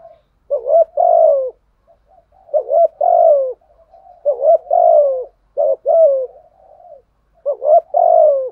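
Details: Decoy spotted dove calling wild birds with its full set of coos: five loud, low, throaty coo phrases spaced about a second and a half apart, with softer murmured cooing between them. Clean, quiet background.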